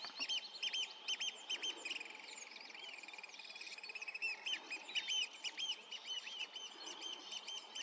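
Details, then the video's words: Eurasian oystercatcher over a river, 27 June 2023, heard from afar; rapid overlapping piping notes speed into a trill, then break into separate calls again. "Полет и голос кулика сороки"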